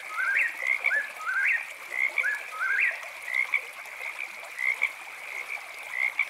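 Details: Whip-poor-will calling in the night, its whistled, swooping three-note phrase repeated again and again at roughly one-second intervals, fading toward the end, with a constant high-pitched frog chorus behind it.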